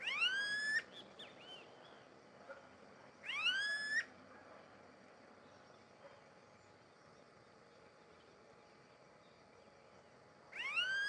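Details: Smooth-billed Ani (Crotophaga ani) in Barão Geraldo, Campinas, São Paulo, Brazil, at 18:51 on 6 January 2015, giving three loud, whining, upslurred whistles spaced irregularly several seconds apart, over a faint steady hum of insects.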